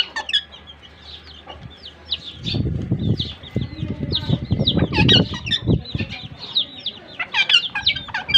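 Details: Two Pakistan ringnecks (rose-ringed parakeets) as a pair in Larkana, Sindh, giving frequent high chirps and screechy notes over heavy low rustling and thumping, likely from wing or body movement.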